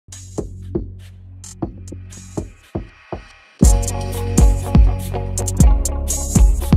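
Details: Electronic music with a steady drum-machine beat and deep bass, quieter for the first few seconds and then louder with dense percussion; no animal sounds heard.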